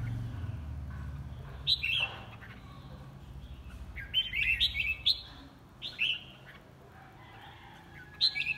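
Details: Singing competition of a red-whiskered bulbul: scattered, loud whistled chirps and short warbled phrases separated by pauses, with a low rumble and background hum.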